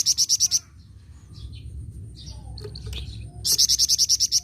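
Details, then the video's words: Flamboyan bird singing actively: a train of high, ringing chip notes cuts off, soft scattered twitters fill a pause of nearly three seconds, then another rapid even series of about twelve loud notes begins. "BURUNG FLAMBOYAN GACOR"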